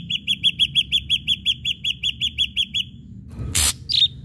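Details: Ashy drongo singing actively to trigger other birds: a rapid chain of about fifteen bright, metallic notes at a steady pace, then a harsh noisy burst and a short slurred note.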